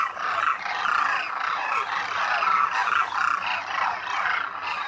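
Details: Large winter flock of Demoiselle Cranes (Koonj) at the lake in Khichan, Rajasthan's Thar Desert, India; steady dense chorus of guttural trumpeting calls with a few clearer drawn-out notes rising above the mass.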